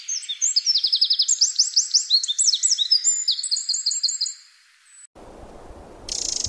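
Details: Wild, free-living Eurasian wren delivering a vigorous song: fast rattling trills and bright twitters rising and falling for over four seconds, then fading, followed by low rumbling noise and a brief high burst.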